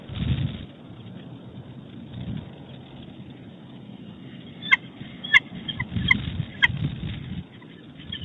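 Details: Pair of bald eagles at their nest in Big Bear Valley after dark on 20 February 2018, chatting during changeover as the female arrives to take over from the male brooding newly hatched chicks. A few sharp, high chittering notes sound over steady low wind rumble.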